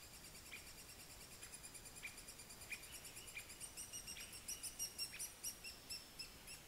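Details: Three-toed Woodpecker in Jyväskylä gives a soft, sharp series of high 'kik' notes that speed up toward the end, over a steady high insect hum.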